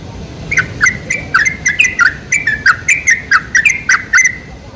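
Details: Lure recording of sooty-headed bulbul song, meant to prompt caged bulbuls to sing: a steady series of clear chirps and short slurred whistles, roughly three per second, against a soft rumbling background.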